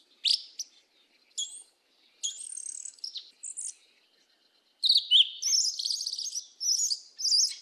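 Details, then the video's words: Turdus flavipes, sabiá-preta, delivering 'mateiro do sul' song: scattered high chips and short whistled notes with gaps, then after a pause a long rich outpouring of rapid, squeaky, warbling phrases. "SABIÁ PRETA CANTO MATEIRO DO SUL"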